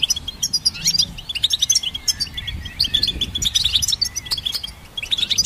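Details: Goldfinch song for training songbirds, a fast, tinkling chatter of high twittering notes in steady bursts, with a brief pause near the end.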